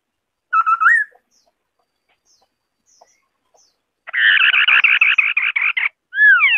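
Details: A white-browed scimitar babbler gives a short whistled phrase ending in a rise. After a long quiet gap it breaks into fast, regular, buzzy chattering, then starts a descending whistle.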